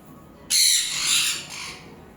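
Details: Harsh, noisy screech from a pet sun conure being coaxed to come and eat, one loud raspy blast that fades and swells again over about a second and a half, with quiet Bengali speech around it.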